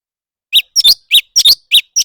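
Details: A leafbird sings competitively with a short run of loud, clipped chirps, some doubled, starting after a brief silence.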